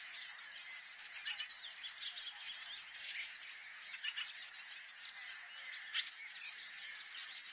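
Long-tailed shrike in a busy, unbroken run of high chattering and scratchy notes, with sharp chirps and quick trills tumbling together throughout.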